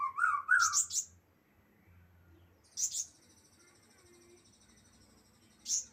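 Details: Juvenile flowerpecker practising its song: a burst of warbled twittering, then sharp high ticks after a pause, with another single chip at the end over a soft low hum.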